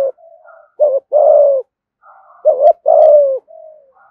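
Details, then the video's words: Spotted dove lure bird singing thúc gù in a low thổ tone: soft murmured coos lead into a short arched hoot and a long falling coo, the phrase repeated about two seconds later. "cu gáy thúc gù giọng thổ đủ bài giọng hay"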